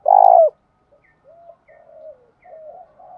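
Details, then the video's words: Captive decoy female spotted dove giving a one-ending call meant to lure and provoke wild males. One loud, long, rolling low coo is followed by several faint, softer coos trailing off. "Tiếng cu gáy mồi gáy gọi kích bổi chuẩn và thúc đấu rút bổi/ Cu gáy mồi gáy gọi 1 hậu"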